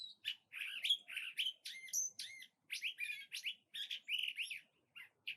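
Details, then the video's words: A cactus wren near its nest gives harsh, scratchy chattering notes in quick bursts of several per second, broken by short pauses. "Cactus Wren Bird - Call"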